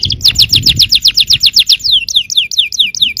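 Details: Yellow canary song intended to provoke other canaries to sing: a fast, regular trill of descending whistled notes, nearly four per second, shifting into softer downslurred notes.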